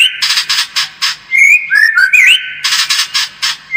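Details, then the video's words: Lure song of a White-rumped shama, meant to make the bird more combative: harsh scratchy bursts repeated about every quarter second, broken by a run of bright, slurred whistles. "SUARA PANCINGAN MURAI BATU AGAR MENTAL SEMAKIN FIGHTER"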